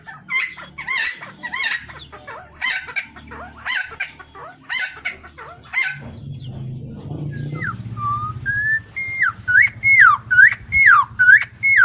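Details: Helmeted friarbird, endemic to Nusa Tenggara, in a long lure recording: a run of varied chattering, gurgling notes, a quieter pause with soft level whistles, then loud falling-and-rising two-note phrases repeated about once a second.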